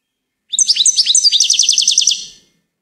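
A goldfinch sings a bright, high twitter: a few varied tinkling notes, then a quick run of about a dozen repeated chips over two seconds. No other sounds.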